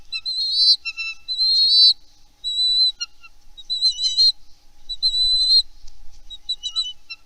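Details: Bald eagles at a nest on Santa Cruz Island, Channel Islands National Park, in late March with a ten-day-old eaglet and an intruder alert, give high, thin chittering whistles in second-long bursts over a faint low rumble.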